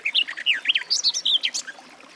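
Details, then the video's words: Short burst of Garden warbler song: quick, slurred, musical notes tumbling up and down in a lively warble, fading out after under two seconds. "Warbler garden, birdsong"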